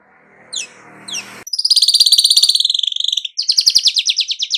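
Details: Weaver nyerut-style singing: faint swept chirps over low background hum, then a long fast pulsed rattle of about two seconds, a brief break, and a second rapid stuttering trill.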